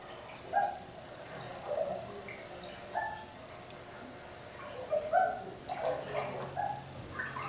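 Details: Common Loon hoots, casual contact calls between mates or parent and chick: soft, short single hoots, about six in eight seconds, mid-pitched and slightly hollow, over a faint watery background.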